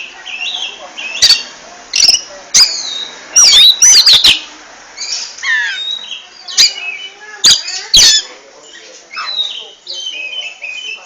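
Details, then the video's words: Oriental magpie-robin, known as kacer, delivering ngentrok song: scattered loud clicks and a cluster of rapid, swooping whistled notes near the middle, then softer rising and falling whistles trailing off. "RAJA NGENTROK!!! Kacer super kicau"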